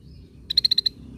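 A Scaly-breasted Bulbul gives a quick burst of six high, ringing notes, rattled off in under half a second over a faint low rumble.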